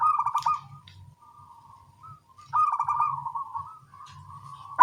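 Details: Local zebra doves singing back and forth in the morning: bursts of rapid, bubbling, pulsed coos on one low pitch, each phrase ending in a long drawn, steady note, with a faint low hum underneath.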